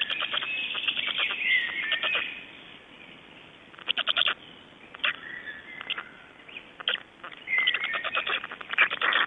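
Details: Estonian black storks recorded at 05:15 on 26 May 2012: rattling bursts, a quiet lull, sharp isolated clacks, then a final run of rapid clattering pulses.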